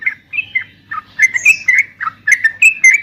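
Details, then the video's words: Yellow-vented bulbul, used as a training sound so trucuk birds answer, gives short bubbly, whistled notes in loose groups of two or three, with faint high chips behind them. "trucukan gacor SATU INI COCOK BUAT TERAPI MENTAL agar burung trucuk gacor NYAUT EMOSI SEKETIKA"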